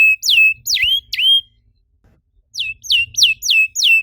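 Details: Canary singing used to encourage other canaries to sing: three loud falling whistles, a second-long pause, then five evenly spaced downward-slurred notes.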